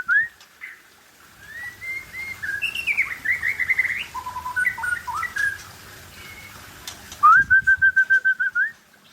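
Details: White-rumped shama (murai Aceh) singing and showing off its style: varied whistled phrases with rising and falling slurs and short trills, ending in a loud rapid series of identical clipped notes on a steady pitch; a low hum underneath.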